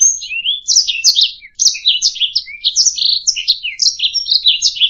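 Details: Canary singing for training other songbirds to sing: a busy stream of high warbling chirps and short slurred whistles, delivered rapidly with few pauses, clean background.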